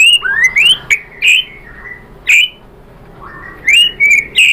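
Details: White-rumped shama lure song, meant to stir another bird into full singing. Sparse, clear, rising whistles and short sliding notes are spaced out by quiet gaps, with a faint background hum.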